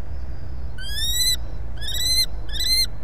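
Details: Common kestrel calling at the nest as prey arrives, Brest, Belarus, 23 April 2020. Three rich, nasal, slightly rising whines are spaced about half a second apart over a constant low rumble.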